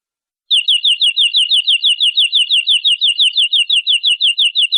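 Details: Canary from a long masteran tutor recording, praised as gacor and nembak, sings a steady run of downward-slurred high notes, about four per second for over four seconds, with a faint ringing overtone and a silent background.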